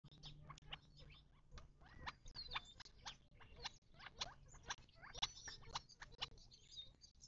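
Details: Wild desert birds at a watering hole in the western Mojave Desert of southern California, near Joshua Tree National Park, on 19 March 2024: a dense run of sharp chirps and short rising whistles over a quick, uneven clicking patter and a low hum.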